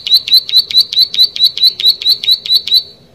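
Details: Loud, lively Plain prinia song, a rapid, evenly spaced run of high, sharp, clipped notes repeated a bit more than twice a second, ending abruptly, against a quiet background.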